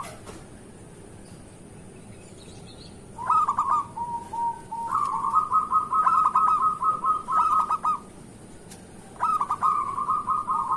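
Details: Active local zebra dove song intended as a morning lure for lazy zebra doves: three phrases of fast, pulsing, bubbling coos, the middle one long, with faint high chirps from another bird.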